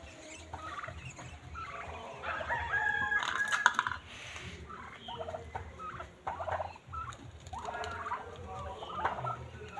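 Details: Pet domestic turkeys call over a steady background hum. Dense, overlapping calls build into rattling, gobble-like bursts, with the loudest stretch in the first half.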